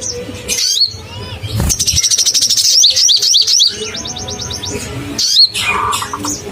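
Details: Crimson sunbird, a singer used as a lure to provoke caged birds: rapid high chirps, sweeping whistles and a dense buzzy trill of evenly spaced notes, with other busy chattering overlapping throughout.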